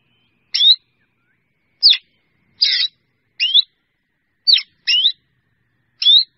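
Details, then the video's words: Drongo giving calls to gather the flock: seven crisp, ringing notes with quick upward and downward slurs, spaced about a second apart, against silence. "Tiếng Chèo Bẻo kêu gọi bầy"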